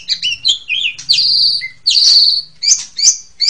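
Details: Asian pied starling in 'super ngentrok' song, a therapy recording for training household magpie robins: varied, jerky phrases of high squeaky chirps, harsh scratchy bursts and short whistles, broken by brief pauses, with a faint low hum underneath.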